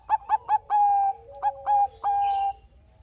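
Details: ['Bangkok-type zebra dove, a gacor singer used as a lure for lazy doves, gives three quick bubbling coos, a held note, then more coos ending in a sustained steady tone, in a quiet background.']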